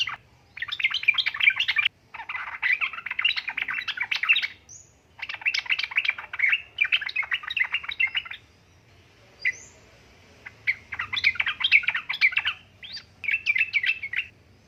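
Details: Female yellow-vented bulbul calling the male: repeated bursts of rapid, bubbly chattered phrases, each one to three seconds long, with brief silences and a couple of lone high notes between them.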